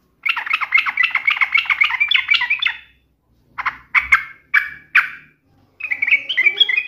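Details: Yellow-vented bulbul in lively song, mocking an opponent to stir a reply. A long bubbling chatter runs for nearly three seconds, then four separate throaty notes, then a quieter warbled stretch. A faint low hum sits underneath.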